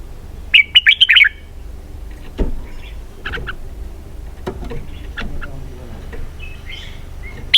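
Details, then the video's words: Red-whiskered bulbul gives one quick, bright warbled phrase of several notes at the start, followed by scattered faint chirps and clicks over a low hum. "giọng hay cực xoắn kép"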